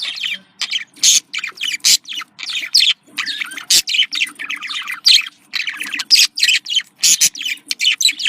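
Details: Pet budgerigars, female and male, calling to encourage breeding: a long, busy stream of chirps, squeaks and sharp clicks in quick succession, lively and unbroken over eight seconds.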